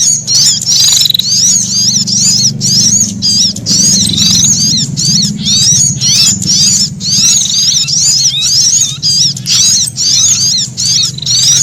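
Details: Brown-throated sunbird threatened, frightened alarm calls combined with prenjak for luring wild birds: near-continuous high zigzag chatter with short buzzy trills, over a steady low hum.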